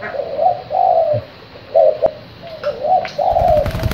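A young spotted dove gives soft, low cooing phrases, several in quick succession, with a small thin voice; a brief click and faint background noise are heard.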